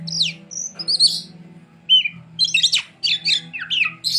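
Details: Oriental magpie-robin singing in a steady style, with sharp descending whistles, clear short notes and quick scratchy chatter in bursts separated by brief gaps, and a low background hum.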